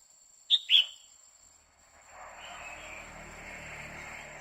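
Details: Female red-whiskered bulbul calling 'quých kiu' to excite a male: two crisp whistled notes in quick succession, followed by a steady hiss of background noise.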